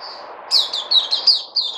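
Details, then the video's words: White-eye (Puteh), recorded 03082020: a brief thin note, then a burst of quick, high, sharply rising and falling chirps in a fast chattering run. "Puteh Crazy"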